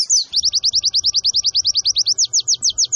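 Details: High, sharp chirps from a white-eye, repeated about ten times per second in a steady rhythm, played to stir caged birds into song, with a faint low rumble underneath.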